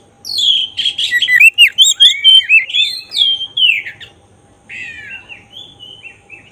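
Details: Black-breasted oriental magpie-robin delivering song to provoke emotion and tail opening: a fast, continuous run of sweeping whistled notes, rising and falling, about two a second, then a softer trailing warble after a brief gap.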